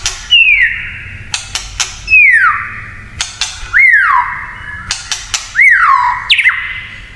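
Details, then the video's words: White-rumped shama singing in the kretekan style, said to provoke other shamas: slurred whistles sweeping down from high to low, each trailing into a steady tone, about four phrases separated by sharp dry clicks. "SUARA KRETEKAN MURAI INI TERLALU BAHAYA BIKIN MURAI LAIN IKUT EMOSI"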